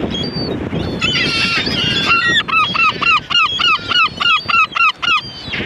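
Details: After a few mixed squeals, one gull dominates with a steady run of about a dozen loud, clipped, up-and-down yelps, roughly four per second, over a soft rushing background.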